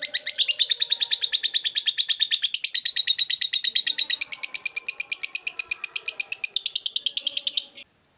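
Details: Long 'ngekek panjang' chatter of a lovebird kept by bird hobbyists: a rapid, rattling string of harsh buzzy notes running unbroken for nearly eight seconds, then stopping abruptly, with faint low background noise.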